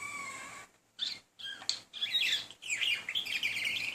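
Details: Pet male budgerigar, a talking bird, courting a female with persistent chatter; opens on a held whistle, then brief gaps before dense warbling, scratchy chirps and squeaks run on almost without pause.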